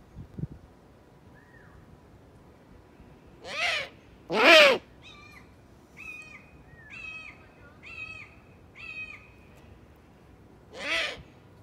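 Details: Eurasian eagle-owl uttering three short, hoarse, screeching calls spread over about eleven seconds, with a row of thin chirping notes repeated roughly every second in between and a quiet background.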